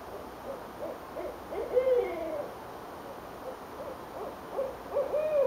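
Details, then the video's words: Owls exchanging calls near a porch in Richmond, Virginia, in January 2012: two bouts of rhythmic hooting, each a run of short notes ending in a drawn-out, falling hoot, over steady low background hum. "Owls Calling"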